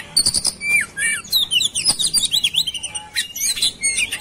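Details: Agitated white-rumped shama in fighting mood, delivering rapid varied song of high sweeping whistles, slurred downward notes and harsh clicks in quick succession.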